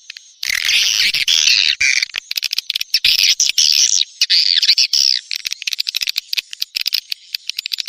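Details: Neptunus-style swiftlet lure call, used in the rainy season to draw swiftlets in: a loud burst of massed high twittering for about five seconds, then breaking into scattered sharp ticks and clicks.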